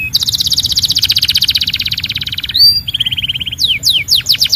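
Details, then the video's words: Belgian canary singing: a fast rolling trill of rapidly repeated notes for over two seconds, a brief high whistle, a lower buzzy trill, then a run of quick descending sweeps, over a faint low hum. "Your Belgian Canary Might Sing NON-STOP After This"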